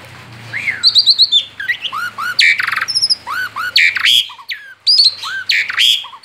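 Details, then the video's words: Rolling song of a male Asian pied starling outside its cage: repeated arched whistles, high tinkling notes, squealing slurs and rasping bursts, loud and fast, with a faint low hum underneath. "Ngerol di luar sangkar jalak suren jantan gacor"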